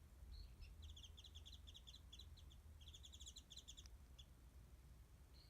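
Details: Warbling white-eye singing overhead near a backyard spot where it is fed mandarin oranges, somewhat distant, recorded by phone; a lively string of rapid high twittered notes fills the first four seconds, then isolated chirps, over low background rumble.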